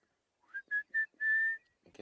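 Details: On a sunrise safari drive on 15 October 2016, an Orange-breasted Bushshrike gives four clear, mellow whistles on one pitch, the last drawn out longest; a brief voice or rustle follows.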